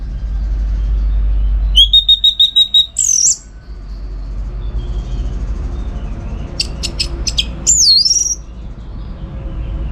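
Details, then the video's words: Orange-headed thrush, energetic training song for contest birds: a steady buzzy trill of rapid pulses, then a swooping whistle, a pause, sharp staccato notes and another looping whistle. "Tingkat Tinggi Masteran ANIS MERAH Gacor Untuk Melatih Mental Burung Untuk Gantangan"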